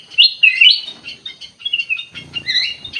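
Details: Ruby-throated bulbul (kutilang emas) in full, lively song: a dense run of high twittering and slurred whistled notes, some rising and some falling, carried on without a break, with a faint low rustle near the end.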